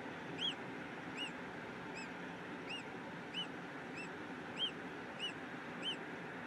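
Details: A peregrine falcon in Brussels, Belgium, at 15:32 on 8 April 2016, gives a steady series of sharp, high, arched notes, about one every half second, over constant city traffic noise.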